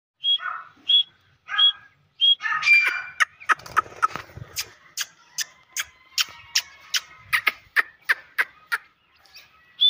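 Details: Grey francolin chicks at play: clear high peeps repeated about every half second, then a run of sharp clicking taps with faint chirps, a soft rumble partway through.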